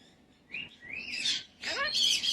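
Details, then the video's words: Pet cockatoo chatting with its owner indoors: rising whistled notes followed by a loud burst of harsh squawks and warbled talk-like sounds. "Chatting with Hero the cockatoo"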